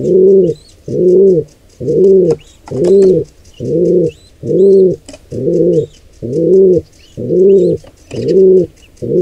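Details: Even, regular series of low, hollow pigeon coos, roughly one per second, near a nestling squab attacked by an intruder pair of wild pigeons; thin chirps of other birds in the background.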